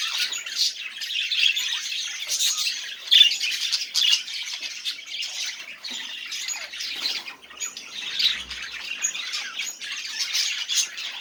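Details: Budgerigar song aimed at getting quiet budgies to sing: long rambling chatter of raspy chirps and squawks, with louder bursts early on, a brief dip midway and a soft low thump near the end.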